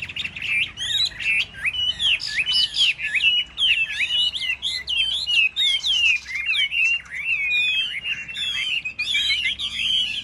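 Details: A captive, tame Chinese hwamei in a singing contest stand alongside other hwameis sings a loud, rich, nearly unbroken stream of varied whistled phrases, with quick rising and falling notes tumbling over one another.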